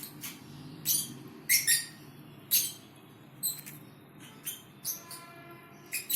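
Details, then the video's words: Fischer's lovebird snoring: brief, raspy high-pitched bursts come at irregular intervals, roughly one per second, some in quick pairs, over a low steady background hum. "Lovebird snoring"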